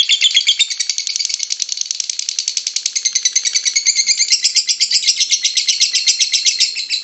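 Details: Lure recording of lovebird ngekek, meant to set other lovebirds singing. A high, fast rattling chatter pours out without pause, about four pulses a second, harsh and twittering, rising somewhat toward the end.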